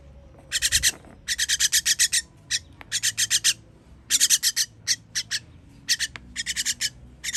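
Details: Nestlings calling for food as they are fed, 21.06.23: long series of rapid, raspy, high chirps in dense bursts, nearly continuous at times, with short gaps.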